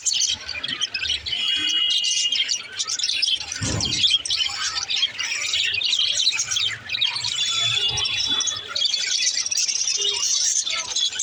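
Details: Several pet budgerigars warble and chirp continuously, with squawky bursts and short pure whistles mixed in, plus a brief low thump near the fourth second.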